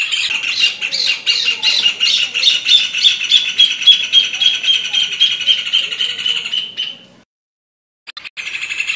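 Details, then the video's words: A rufous hornero delivers a sustained, fast trill of ringing, high-pitched notes repeated several times per second for about seven seconds and tapering off, then pauses before starting again. "Canto do João de Barro"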